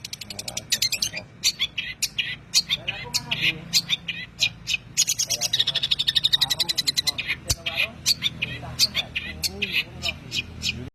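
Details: Training recording of a long-tailed shrike's tembakan song: dense, fast, high chattering notes mixed with scratchy phrases and brief harsh calls, kept up almost without a pause.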